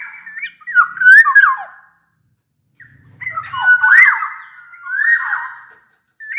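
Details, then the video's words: Black-naped oriole whistling loudly and clearly, meant to draw song from quiet orioles; two mellow, slurred phrases separated by a silent gap with a faint low rumble, a third phrase and a final short note. "Suara kepodang gacor ini bisa di jadikan pancingan kepodang malas bunyi"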